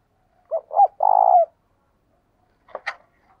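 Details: Spotted dove decoy calling to draw wild doves into a fight: two quick arched coos then a long buzzing, rolled coo, followed by a pair of dry clicks.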